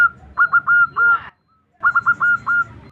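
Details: Female zebra dove calling for a male: two bursts of clear coos, each a few quick stuttered notes ending in held tones, separated by a short pause.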